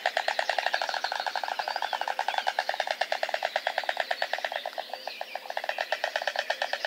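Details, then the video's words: White storks at their nest in Nowy Kamień, Poland, on 20 May 2016, the day a third chick hatched: a fast, dry wooden bill-clattering rattle of about ten knocks a second, sustained, with faint thin squeaks behind. "a lot of rattling"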